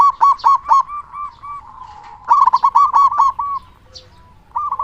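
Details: Local zebra dove, a strong-voiced singer used as a tutor and lure to prompt other doves to sing: rapid rolling bursts of short cooing notes with clear harmonics, two main phrases separated by softer sustained coos.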